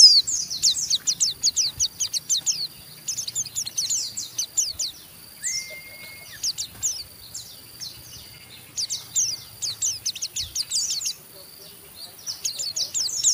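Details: Rough chattering from an Oriental white-eye provoking an opponent to ngeriwik: bursts of quick, high scratchy notes repeated with gaps of quiet, a brief level whistle mid-way, and soft background hiss.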